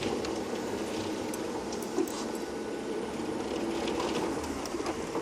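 A steady mechanical hum, like an idling vehicle, fills the recording with faint hiss and no clear animal call.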